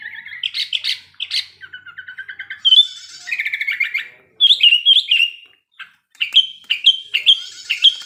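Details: Wild male sooty-headed bulbul in breeding condition, sung as a lure to prompt other bulbuls to sing. Lively run of bright, chirping and whistled phrases, some buzzy, ending in rising-falling whistles repeated quickly.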